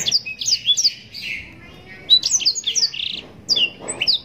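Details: Blackthroat, the yellow-rumped serin, in full long-shot song with rich phrasing: quick bursts of high, slurred whistles and short buzzy rattles, broken by brief pauses near one and a half and three seconds.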